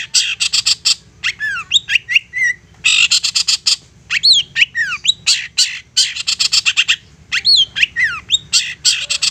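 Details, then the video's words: Long-tailed shrike singing insistently to provoke other shrikes into answering: harsh rasping buzzy bursts alternating with clear downslurred whistles and chattering notes, loud and continuous. "Apapun Cendet nya AKAN LANGSUNG MERESPON dan NYAUT lanjut GACOR dengan pancingan Cendet ngotot ini"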